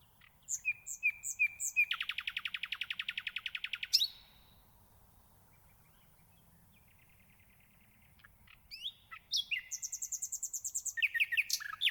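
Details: Nightingale song in two bursts separated by several seconds of near silence: high chirps lead into a fast, loud, rattling trill. Later, varied high whistled and buzzy phrases follow, including rapidly repeated notes.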